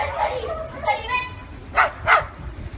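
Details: Parrot imitating dogs by barking, giving two short, harsh, bark-like bursts near the end after a stretch of human talk.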